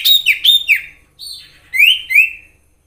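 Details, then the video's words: A wild Common Iora gives clear, high whistles: a quick run of falling notes, then two longer rising-then-falling whistles, with no other sounds. "Sirtu gacor nyiul asli suara Alam"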